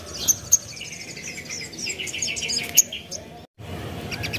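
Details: Spiderhunter lure song, played to make any other spiderhunter answer at once: sharp high chirps and short piercing notes over a faster chattering series of mid-high notes, with a brief dead-silent break near the end and faint background hiss.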